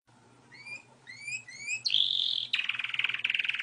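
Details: Wild Spanish Timbrado canary song: quiet rising whistles repeated about twice a second swell into a loud steady trill, then a pulsing roll. A faint low hum runs underneath.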